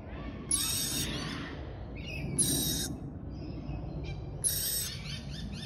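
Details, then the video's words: A baby lorikeet gives three harsh, rasping screeches about two seconds apart, each roughly half a second long, over a low steady background rumble. "Cute baby Lorikeet chirping"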